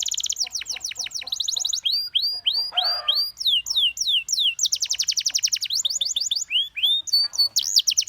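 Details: Energetic canary song, one bird among several prompted to chirp, mixing rapid high trills, arching whistled notes in runs of five or six, and brief dry rattles, almost without pause.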